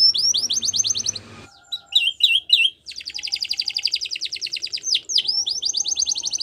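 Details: Spanish Timbrado canary song used for training: a fast, high rolling trill, a short pause, three sharp descending chirps, then a long metallic trill of rapid evenly spaced notes, broken by a brief swooping note before the trill resumes.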